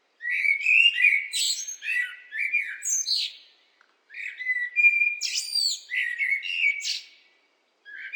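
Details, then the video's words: Blackbird song in two bursts with a short gap between them, full of varied liquid whistles mixed with sharp, high-pitched squeaks and twittering ends, in an otherwise quiet setting. "What do blackbirds sound like?"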